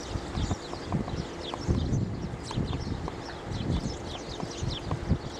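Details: Storks in Algeria (Bordj Bou Arréridj), March and June 2009, make dry, hollow clattering bursts in uneven runs, with faint high chirping from small birds and a low background rumble; finding: stork.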